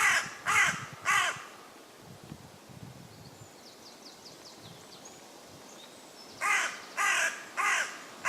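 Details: Common raven calling from a woodland tree in West Sussex, England: three hoarse croaks, a pause with faint background chatter, then a further run of four rough croaks.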